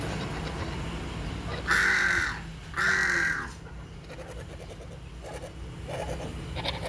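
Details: A hornbill calls twice, back to back, with coarse nasal honking notes about a second apart, followed by fainter softer calls, all over a persistent low hum.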